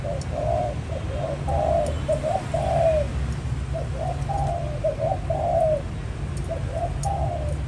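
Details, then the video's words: Spotted dove used as a trapping lure, giving low hollow coos in short phrases of two or three notes, each ending in a longer drawn-out coo, repeated steadily over constant low rumbling background noise. "Bán mồi trơn ròng mailai bắt nhiều bổi"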